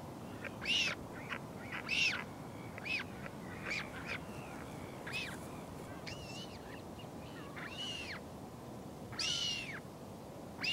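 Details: Northern royal albatross at a nest in the Pukekura/Taiaroa Head colony near Dunedin, New Zealand, as a parent flies in to feed its chick, 2016; short, high, arched nasal, slightly squeaky calls about one a second, unevenly spaced, over steady wind.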